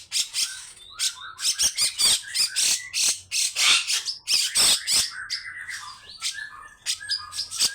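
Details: Grey-cheeked bulbul in energetic song, mixing harsh scratchy bursts with short whistled notes and sliding tones, delivered in irregular fast phrases.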